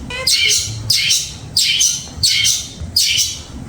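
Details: Caged long-tailed shrike (pentet) kept as a songbird, repeating loud rasping squawks roughly every 0.6 seconds, five bursts in a row, each starting with a short whistled lead-in; faint low hum.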